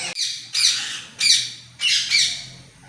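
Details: Talking green parrot at a home in Mangalore in cool weather, 17 August 2025: four loud, grating squawks about half a second apart, each sharp at the start and fading at the end.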